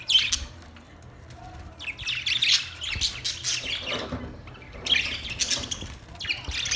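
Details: Budgies chirping: bursts of high, scratchy squawks and twittering chirps come in clusters, with brief quieter gaps between them and a faint low hum underneath.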